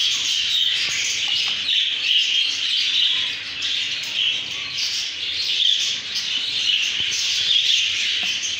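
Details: Texas mutation budgerigar chicks, raised by keepers and not yet feeding on their own, give a dense, continuous chorus of high, raspy chirps and peeps.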